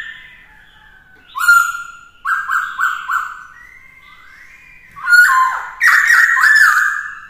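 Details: Black-throated laughingthrush (khướu bạc má) song for teaching a young bird, stirred up to sing fiercely. Sliding whistles, a series of three loud stepped whistles, a rising slur, then bursts of loud, rich, repeated whistled phrases.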